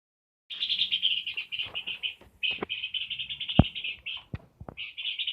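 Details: Peor bird in full, lively song: long runs of rapid buzzy chattering notes pulsing several times per second at a high pitch, broken by short pauses, with a few sharp clicks and taps in the background.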